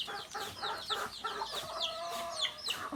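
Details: Native chickens, rooster and hen included: quick run of high, sliding chirps roughly four per second, mixed with nasal mid-pitched clucks and a low drawn-out purr.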